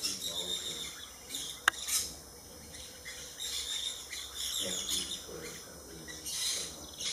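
Maroon-bellied Parakeets give harsh, screechy bursts of chatter in several bouts, over a steady high insect drone, with a low murmur of voices.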